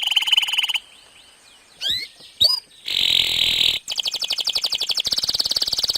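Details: Canary in long, continuous song used as a lure to prompt other canaries to sing: a fast trill, then swooping whistled notes, a dense buzzy passage, and rapid pulsed trills running to the end.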